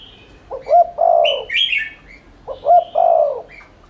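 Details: Spotted dove in rapid 'thúc liên thanh' cooing, played as a lure to make doves coo quickly. Two soft, low coo phrases, each a quick double note leading into a drawn-out hum, with brief higher chirps from another bird between them.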